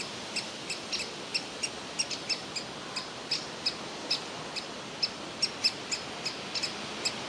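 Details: Young woodpecker begging for food from inside its tree hole, with parents urging it to fledge; a run of thin, high, clipped chirps at irregular short intervals against soft outdoor hiss.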